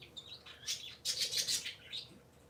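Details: Sunday-morning chatter from three pet parakeets: a dense run of bright, scratchy high twitters that swells to a loud burst in the middle and then fades into lighter chirps.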